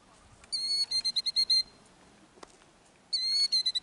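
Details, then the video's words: Killdeer near its ground nest in Kananaskis, Alberta, Canada, protecting eggs with an injury-faking distraction display; loud, piercing, high notes delivered in two rapid stuttering series about two seconds apart, with a faint click between them. "Killdeer protect eggs by faking injury act"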